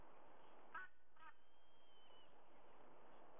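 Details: White-bellied sea eagle in Sydney, Australia, early morning 05:44, 30 September 2022: a quick pair of nasal honks, followed by a long thin whistle from another bird and a constant hiss.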